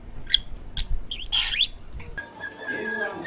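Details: A male pet parakeet that talks chatters in scratchy, high chirps, several quick bursts in a row, then a softer, murmuring stretch of mimicked babble.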